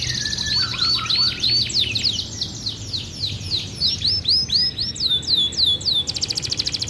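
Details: Captive domestic canary singing vigorously with rich, varied phrasing: high twittering notes and rapid downward-sweeping whistles, ending in a fast buzzy trill, over a steady low background hum.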